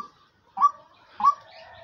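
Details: A caged hunting decoy hen, one of two birds whose male and female are said to call alike, utters a pair of short upward-slurred notes roughly 0.6 seconds apart in a quiet setting.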